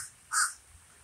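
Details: Lone brief, grating caw from a common raven, followed by near silence.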